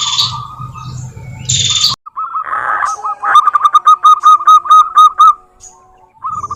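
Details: Zebra dove of local stock singing, recorded as a lure to prompt caged doves to respond. It gives hurried series of short cooing notes with crisp clicks between them, then brief trills, over a low rumble at the start.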